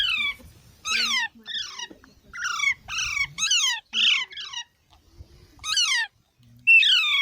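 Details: Baby parrots calling in a quiet setting: a run of raspy, downward-sweeping squawks roughly every half second, a pause, then two more loud falling calls.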